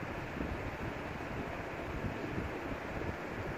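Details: Only steady wind buffeting the microphone is heard, with no animal voice.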